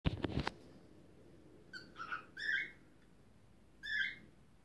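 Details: A two-year-old male pet cockatiel, celebrating after being let out of his cage, gives short, bright whistled phrases with a slight upward lilt; the owner thinks it is a courtship song and dance.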